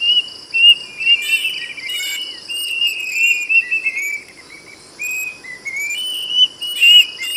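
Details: Plaintive cuckoo whistling a long phrase of slurred notes that sink in pitch, then a fresh series climbing step by step. A continuous shrill insect chorus and a few brief scratchy noises run behind it.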